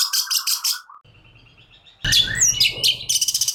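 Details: Agitated long-tailed shrike, called cendet locally, giving a rapid chattering trill, a quieter pause with low background hum, then loud scratchy squeaks and a fast stutter.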